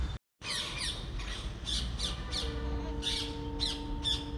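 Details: Parrots chirping loudly while eating and balancing on a wire: harsh, scratchy squawks in quick bursts, with a steady low tonal hum underneath.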